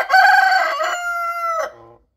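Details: Rooster of the galo índio type crowing: a loud, harsh opening that flattens into one long, steady drawn-out tone, then fades into a brief falling tail, about two seconds in all, with a quiet background.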